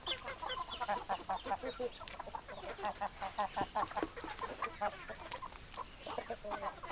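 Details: A flock of hens gives quick, choppy clucks at about two to three per second, overlapping and irregular, with a constant barnyard bustle beneath.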